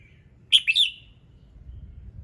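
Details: Morning song of a red-whiskered bulbul, used to set other birds singing: a brief phrase of two or three clear whistled notes, sharp and slightly descending, then quiet with a low rumbling background.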